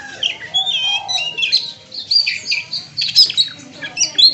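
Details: Mimicry-rich song of the Oriental magpie-robin (kacer), with further birds in the background. Fast, squeaky, buzzy phrases tumble together, with rising and falling whistles and sharp high notes.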